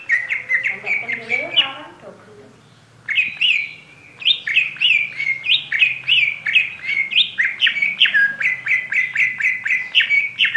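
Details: Oriental magpie-robin singing a long run of repeated loud whistled notes, about two per second, after a scratchy warbled opening, over a low background hum.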